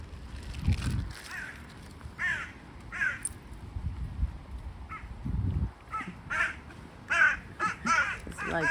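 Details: Several crows in trees in Norway in September give harsh, barking alarm caws in overlapping short bursts while a swan and ducks are hand-fed, with low rumbling and a person talking underneath.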